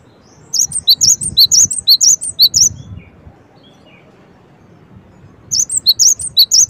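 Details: A long run of bright, high, clipped chirps from a Cinereous tit, rapid and fairly even, then a pause of a few seconds before another shorter burst of the same piercing notes.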